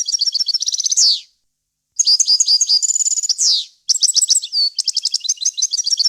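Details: Pure European goldfinch song used to teach chicks, in a varied wild-language style: rapid high twittering phrases with buzzy trill sections and falling end notes, three bursts divided by short pauses.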